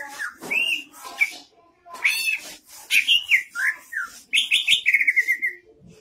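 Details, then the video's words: Cucak ijo, the greater green leafbird, in full 'gacor' song with rising 'nanjak' vocal phrases: varied whistled slurs and chattering notes, downward swoops, then a fast stuttering trill that fades out. "Burung Cucak Ijo Gacor Vocal Nanjak Mental Oke"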